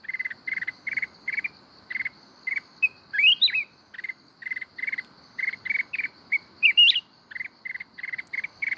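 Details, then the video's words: Kít bổi forest-style song of a mountain red-whiskered bulbul, Binh Thuan. Dense runs of short stuttering chirps roughly twice a second, broken twice by sharp rising whistled flourishes, against a continuous high insect hum. "chào mào núi hót giọng rừng kít bổi cực hay"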